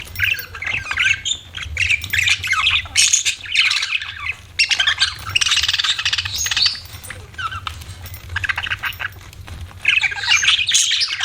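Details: Pet budgerigars twitter and warble in long bursts of scratchy, squeaky chatter with a few pauses, a low hum running underneath.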